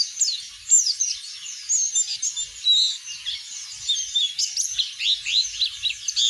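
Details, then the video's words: Oriental white-eye 'ngeplong' song meant to prompt other birds. Bright, high warbling made of tumbling chirps and thin whistles, steady and unbroken, growing busier toward the end. "burung pleci ngeplong buat pancingan bunyi"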